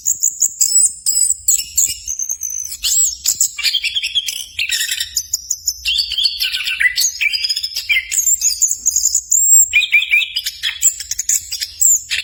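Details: Long continuous outpouring from an orange-headed thrush, also called anis cacing, recorded as tutor song to make birds sing eagerly. Sweet, varied phrases and sharp high whistles mix with fast chattering notes, with hardly any breaks.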